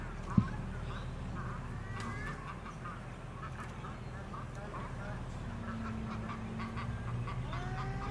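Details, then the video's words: Eurasian coot filmed on the Sunshine Coast, Queensland, in April 2021: a few short nasal, harmonic calls, one pair near two seconds and a rising note at the end, over a steady low rumble of background noise. "Eurasian Coot"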